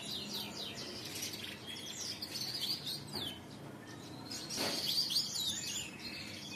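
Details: Canary lure song, Indonesian bird-song hobby: rapid high chirps and whistled downslurs in continuous phrases, with a brief broadband rustle midway.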